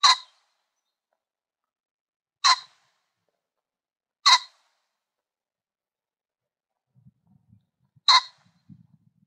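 A pheasant gives short, harsh, explosive calls at uneven intervals, with faint low rumbles near the end.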